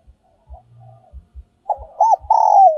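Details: Giọng còi, or giọng kim, style decoy song of a spotted dove: faint soft notes and low thumps, then a loud phrase of two coos ending in a long, slowly falling held note.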